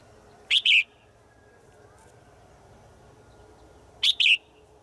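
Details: A female bird's daily forest call to a male: two brief bursts, each of two hoarse, harsh notes, spaced about three and a half seconds apart over a quiet background.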